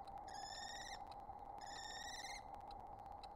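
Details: Wild common kestrel, one of a mated pair communicating at a nest with eggs laid in April 2022: two drawn-out, rapidly pulsed whining calls, each under a second, over a steady electrical hum and scattered clicks.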